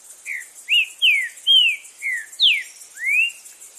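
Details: A Green-winged saltator in the wild in Brazil sings a loud phrase of about seven clear, slurred whistles, some rising and some falling, over a steady high hiss of insects.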